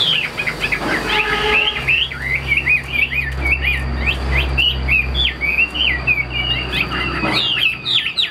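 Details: Chinese hwamei, a caged display bird, delivers a lively string of short twisting whistled phrases, about two to three a second, over a low rumbling drone and a faint high whine.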